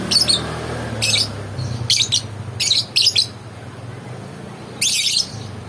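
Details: Pet lovebird calling in sharp, high screechy chirps, several quick bursts early on, then a pause before one longer grating burst, over a low steady background hum.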